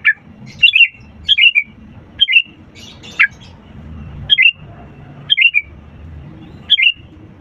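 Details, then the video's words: Energetic sooty-headed bulbul song meant to prompt reluctant birds to sing: a run of about eight short, cheerful, descending bubbly phrases spaced roughly a second apart, over steady low hum. "pancingan kutilang gacor untuk burung malas' bunyi"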